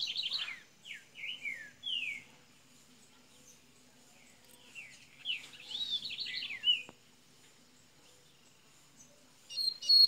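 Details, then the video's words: Double-collared seedeater of Minas Gerais, Brazil, opening its song softly: series of descending slurred whistles and a run of quick repeated notes, with a constant low hum beneath. "coleira golinha de minas gerais abrindo canto"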